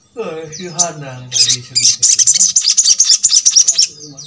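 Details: Little spiderhunter song used to stir other birds to sing: after a brief low, voice-like sound at the start, a long string of rapid high chattering notes runs steadily for about two seconds.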